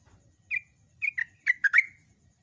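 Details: Short bubbly phrase of a yellow-vented bulbul, trucukan in local usage: four or five liquid, slurred notes in two quick clusters, clear and loud against a quiet background.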